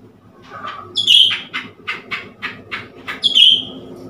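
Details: Newly acquired Blue-winged leafbird provoked with a mirror, recorded 10 February 2021: a run of short, sharp, sweeping chirps and high bright whistled notes, about ten in four seconds, over a faint low hum.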